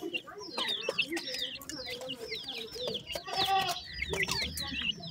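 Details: Francolin chicks of the dakhni teetar kind make soft, high chirps and slurred whistles over a murmuring background, with a louder crackling burst midway.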